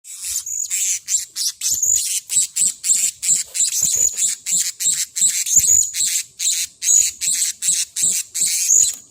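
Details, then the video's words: Blue-crowned hanging parrot, agitated after being lured by a trapper, giving very high, thin, shrill squeaks in fast pulsed bursts, repeated almost continuously about twice a second. "Burung Serindit Marah"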